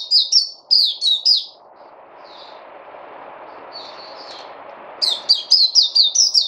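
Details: ['A songbird gives high, rapid chirps in bursts. A quieter stretch with low rumbling noise and faint notes follows, then fast loud chirping returns.']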